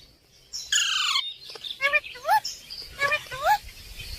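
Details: Indian ringneck parrot kept as a pet, talking: a flat buzzy note, then a run of short upward-bending syllables, roughly five in quick succession, over quiet room noise.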